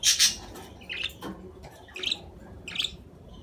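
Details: Budgerigar calls: a loud harsh squawk at the start, then short scratchy chirps spaced about a second apart, each burst bright and high-pitched, over a quiet low background hum.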